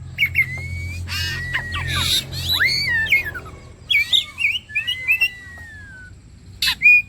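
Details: Oriental magpie-robin singing to prompt others of its kind: clear whistles, harsh buzzy rasps, long smooth whistles gliding down and up, and a final sharp chirp, over a low hum.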